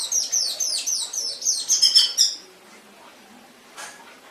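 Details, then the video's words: Canary song for training pet canaries: a rapid series of high, sharp chirping trills lasting about two seconds, then quiet with one faint later note. "Masteran Suara Burung Kenari"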